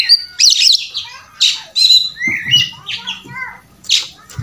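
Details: Oriental magpie-robin in a fighting, puffed-up display, from a tutor recording packed with fill-in phrases: separate bursts of harsh, scratchy notes and short whistled slurs, with faint low hum in the background.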